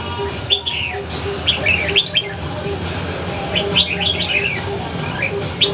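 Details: Caged red-whiskered bulbul confronting a wild bird in Ho Chi Minh City: short bursts of bright, chirpy whistled notes in quick clusters, with a steady low pulsing hum throughout.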